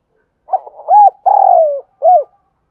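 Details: Luring call of a Spotted dove from Đồng Nai, Vietnam: a brief stutter, a rounded rising-falling coo, a long smooth downward-sliding coo, and a last arched note, clean with no other sounds.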